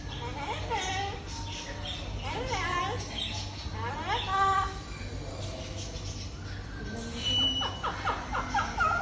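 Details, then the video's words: Amazon parrot talking: a stream of speech-like babble with gliding, wavering tones and short whistled notes, over a steady low background hum. "Amazon parrot toking"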